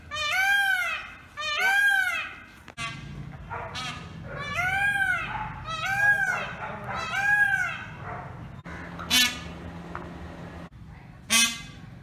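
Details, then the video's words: Indian peafowl in a small rural village: strong, harmonic, arching wails repeated about once a second for eight seconds, then fading to scattered sharp bursts over a steady low hum. "Peacock voice Call"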